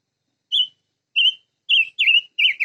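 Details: Five-coloured bird song of mellow whistled notes. Three single notes come about half a second apart, then two quicker warbling notes run together, each note bending and wavering in pitch.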